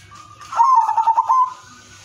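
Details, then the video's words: Zebra dove of the udanmas silver kind giving a brief melodious song phrase meant to draw other zebra doves into singing; a soft lead-in tone, then a rapid trembling run of pulsed coos fading into a steady note. "perkutut udanmas silver irama merdu spesialis pancingan bikin semua perkutut ikut manggung"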